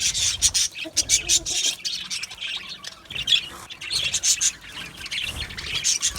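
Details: Australian budgerigars in an aviary colony, many birds chattering at once: dense high, scratchy chirps and squeaky warbles in quick overlapping bursts, rising and falling in loudness without pause.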